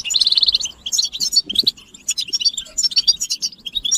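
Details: Group of European goldfinches chirping to encourage silent males to sing. It opens with a fast, even buzzy trill, then scattered sharp high chirps and twitters follow.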